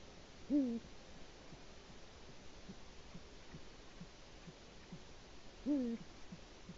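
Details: Two deep, downward-sliding hoots about five seconds apart from a male Eurasian eagle-owl calling for its mate at its nest, recorded by a Latvian live nest cam on an early March 2018 morning.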